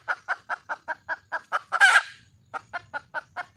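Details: Hen red junglefowl calling for a mate in the wild: a brisk series of regular clucks swells into one loud, raspy squawk, then after a brief pause the clucking resumes at the same even pace.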